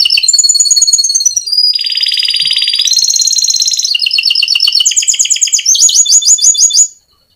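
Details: Canary singing a long rolling ('ngerol') song used to prompt other canaries into song; a chain of fast trilled tours changing every second or so, including a lower buzzy roll, climbing to bright sharp trills, then ending suddenly.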